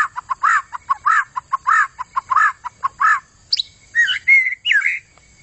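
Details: White-rumped shama in vigorous song, repeating rich arched whistled notes in a steady rhythm, then switching to twisting fluty whistles.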